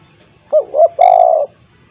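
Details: Spotted dove calling, played to prompt a silent dove at home to start calling: two short soft coos followed by a longer, steadier, level coo.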